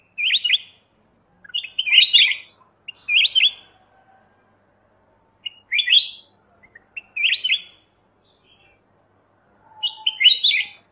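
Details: Black-crested bulbul singing short, bright warbled phrases of quick up-and-down notes, six bursts spread over eleven seconds with silent gaps between them; a faint lower tone is heard near the end.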